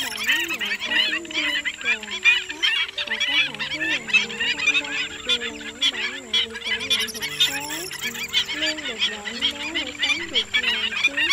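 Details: A stilt flock call used as a lure to trap migratory birds, August 2020 season. Many high, clipped calls overlap in a continuous busy chatter. Low sustained tones slide and waver beneath, and a faint thin high whine runs throughout.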